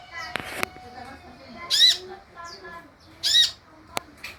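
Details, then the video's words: Recording of a sunbird used to lure others into calling: two loud, harsh, buzzy bursts a second and a half apart, with sharp clicks, faint high chirps and a soft hum around them. "SUARA PANCINGAN DAN MASTERAN UNTUK SEMUA JENIS KOLIBRI YANG AMPUH MEMBUAT KONIN NYAUT DAN IKUT GACOR"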